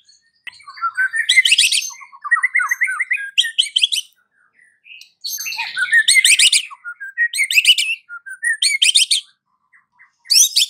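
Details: White-rumped shama singing as an afternoon lure for mute shamas: loud buzzy, rasping bursts alternate with descending whistled note series and twittering, in phrases broken by brief silences.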